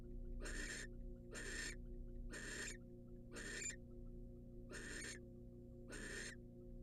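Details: Female barn owl, wild, at a nest box as the male brings her a rat: a run of six rasping, noisy hiss-screeches spaced about a second apart, with constant low electrical hum underneath.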